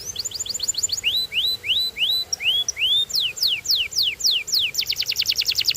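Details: A singing canary gives steep descending whistles, then a run of arched, rising-falling notes about four per second, more falling sweeps, and a closing rapid rattling trill.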